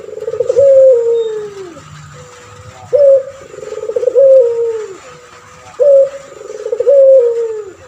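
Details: Active male puter pelung dove, a tutor bird for other doves: a steady run of repeated coo phrases, each a bright opening note followed by a wavering, slowly falling hum, about every three seconds.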